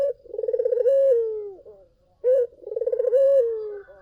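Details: Collared dove, used as a lure for other doves, giving a rolling pulsed coo that flattens into a long downward-sliding note, then after a pause a short sharp coo and another rolling phrase.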